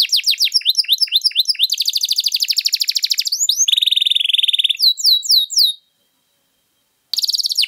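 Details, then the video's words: {'caption': "Domestic canary in long, vigorous 'luxurious' song used as a tutor or lure for other birds: rapid falling chirps, then fast buzzy rolls and a steady trill, a short pause, and a final burst of rolled notes."} "Kenari Gacor Panjang Lagu Mewah, ampuh buat pancingan atau masteran"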